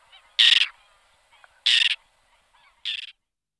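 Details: Whiskered tern calls: three loud, grating, buzzy rasps spaced over about three seconds, with faint softer calls between them.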